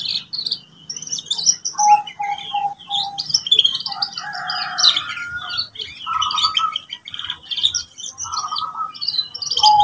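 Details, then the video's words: Canary song used as training for young birds learning to sing: a varied warble of chirps, trills and buzzy notes, with repeated mid-pitched whistled notes at a steady beat. "TERAPI SUARA KENARI PAUD WIKSAR BELAJAR NATA LAGU | CANARY SINGING"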